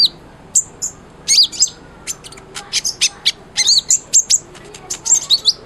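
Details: Kolibri ninja sunbird singing energetically, used as a tutor for white-rumped shama: spaced high chirps and slurred squeaky notes building into rapid twittering phrases.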